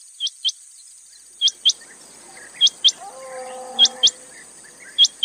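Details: Quail calling: sharp, high, quickly falling notes given in close pairs, each pair repeated about every 1.2 seconds, with a faint low steady tone drifting in midway through.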